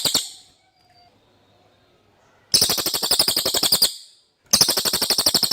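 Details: Common iora song, clear and used as tutoring material for magpie-robins. A trill ends, a quiet gap of two seconds follows, then two more rapid high chattering bursts come with a brief break between them.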